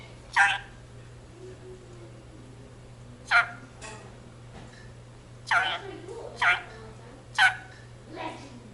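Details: Indian ringneck parakeet kept in a home, uttering the Punjabi jaikara: isolated short, harsh spoken syllables spaced one to three seconds apart over a quiet room.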